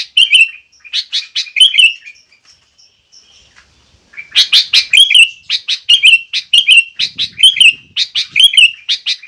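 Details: Provoking song of a sooty-headed bulbul, meant to make other bulbuls sing along: warbled chirpy phrases, a quiet gap with faint thin notes, then a loud, fast run of bubbling phrases.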